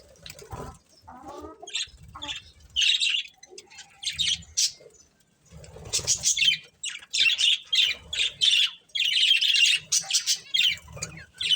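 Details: A breeding pair of budgies calling in irregular bursts of raspy chirps, starting sparse and quieter, then building to a long run of loud scratchy chatter, with low knocking sounds beneath.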